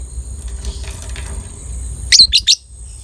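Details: Lovebird of the 'biola' colour variety, played to raise breeding drive in other lovebirds: three sharp, high chirps in quick succession, close together, after a stretch of faint background rustling.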